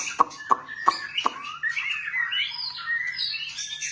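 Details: Four sharp clicks roughly every third of a second, then a flowing white-rumped shama song of warbled and upward-swept whistles; low hum in background.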